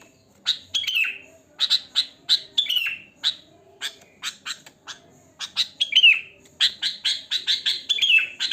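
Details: Sooty-headed bulbul, natural wild voice with no mimicked phrases, meant as a lure: a lively run of clipped chirps and falling slurred notes, repeated roughly every half second, with a faint hum underneath.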